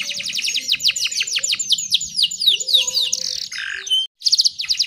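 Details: Bright, rapid descending whistles repeated several per second from a female canary calling to lure males, with prinia song material mixed in; a harsher burst near the end, a short break, then a quick high trill.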